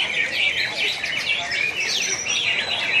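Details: Greater green leafbirds (cucak hijau) at a national singing competition in Pontianak, West Kalimantan, Indonesia, 3 April 2016: dense overlapping high chattering, rapid whistled trills and sweeping slurred notes, several birds singing at once.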